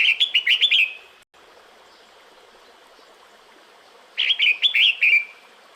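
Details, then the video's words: Female red-whiskered bulbul calling to a male in the breeding season: two bursts of bright, bubbly chirping notes, each about a second long, separated by a quiet pause over faint background hiss. "Tiếng Chào Mào Mái Gọi Trống Mùa Sinh Sản"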